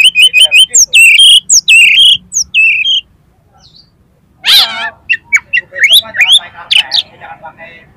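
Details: Competition-trained oriental magpie-robin, song full of imitated filler material used to prompt contest birds: quick repeated sharp whistled notes, a short pause, then a harsh buzzy burst followed by a busy stream of varied trills and whistles.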